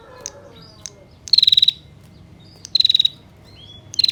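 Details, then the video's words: Long-running ngetir call of a female bar-winged prinia, used to draw male prinias into calling: three loud, rapid rattling bursts of high ticks, each under half a second, spaced roughly every 1.3 seconds, with a faint soft whistle between them. "Masteran Prenjak Tamu Ngetir Durasi Panjang, Pancingan Prenjak Jantan Agar Bunyi"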